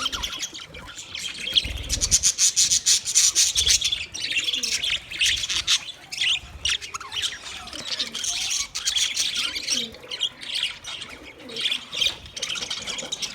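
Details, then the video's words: Budgerigars chirping for a lonely bird: steady, noisy flock chatter of quick high chirps, roughly two per second, with the loudness rising and falling through the recording. "Budgies chirping sounds for lonely bird"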